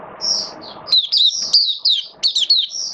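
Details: Caged Oriental white-eye singing during wet, rainy weather, recorded 8 October 2022: a rapid run of high, sweet, twittering warbles and slurred whistles, with short gaps between bursts, over a low, steady background hum.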